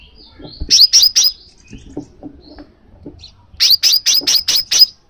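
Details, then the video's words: Piercing high chirps of a crimson sunbird, a call meant to trigger a pet sunbird to sing: three quick down-slurred notes, a pause, then a run of six. "suara pangilan burung kolibri sepah raja, memicu kolibri sepah raja anda jadi gacor"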